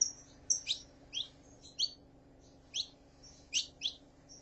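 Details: Calls of a female saffron finch, meant to stir up a male: bright high chirps, each a quick falling sweep, coming in small irregular bursts above a constant low electrical hum.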